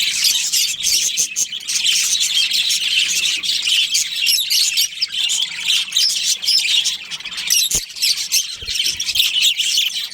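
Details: Many budgerigars, a breeding pair among them, chatter in a dense, continuous wash of shrill chirps and trilling warbles, with a couple of brief low knocks toward the end.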